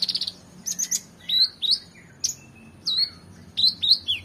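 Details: Oriental magpie-robin in lively full song with rich fill-ins, for tutoring competition birds: short buzzy bursts followed by rising and falling whistled slurs, delivered in separate phrases.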